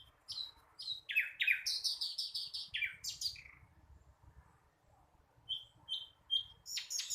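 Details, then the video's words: Learning young flycatcher: a tumbling series of descending chirps and buzzy trills, a quiet spell, then several short clear whistled notes and a final burst of high chirping. "Sikatan londo masih belajar bunyi...!!!"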